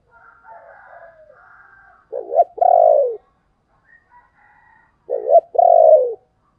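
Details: Spotted dove lure call: two-part phrase of a short stuttered coo followed by a long falling coo, given twice about three seconds apart, with faint softer background calls.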